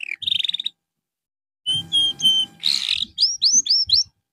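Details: Canary song played as therapy for a bird that has lost form: a short trill, a silent gap, steady flat whistled notes, a buzzy burst, then four quick upward-sweeping chirps.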